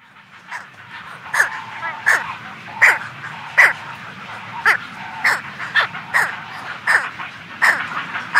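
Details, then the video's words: A week-old brown pelican chick calls close up, giving hoarse, yelping squawks about one every second, over a low murmur of the colony in the background. "Brown Pelican. Calls CU From A Week-Old Chick, Colony In Background."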